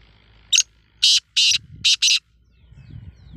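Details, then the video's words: Black francolin calling: a short harsh rasping note, then two pairs of loud grating notes within about two seconds, with faint low rumbling in the background. "Black Francolin Voice"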